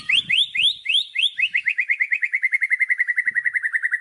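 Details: Rapid repeated notes in a white-rumped shama's isian song: several rising whistled upslurs, then a quickening series of short identical chips that holds steady to the end.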